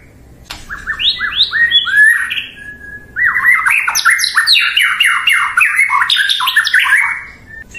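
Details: Loud, fast White-rumped shama song meant to set off a rival: a sharp click, then long rolling volleys of quick downslurred and upswept notes at varied pitch with a brief pause in the middle.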